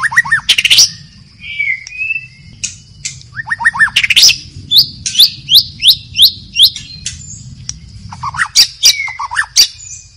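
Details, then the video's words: White-rumped shama singing in the wild in a forest: a varied string of loud rising whistles, sharp upswept notes and quick chattering runs spread over ten seconds, with a low steady hum underneath. "SUARA MURAI BATU HUTAN DI ALAM BEBAS || the sound of a stone magpie in the forest"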